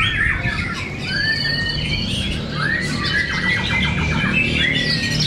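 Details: White-rumped shama fighter birds duelling in song at Cibinong, giving long upward-sweeping whistles, squealing slurs and quick stuttered note series at a brisk pace, over a constant low background drone.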